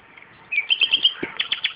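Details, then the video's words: Nightingale song near tomatoes in a home garden: a quick run of bright, chattering high notes that breaks into a looser sequence of repeated chips. "Славей пее край домати - Nightingale singing araund of tomatoes"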